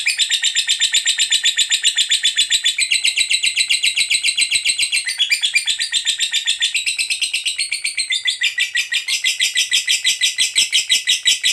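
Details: Lovebird in a long ngekek trill, the extended chatter kept as a tutor recording for other birds: rapid, harsh, evenly pulsed notes running without a break for the whole stretch.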